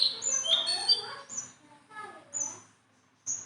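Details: Tame caged Sunda bulbul singing in lively form: high whistled notes and short sweeping phrases broken by pauses, with faint chatter among them.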